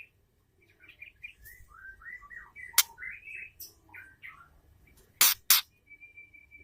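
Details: Female white-rumped shama calls that stimulate a male: a string of quick slurred whistles and chirps, a sharp click, two loud rasping bursts, and a closing thin steady whistle.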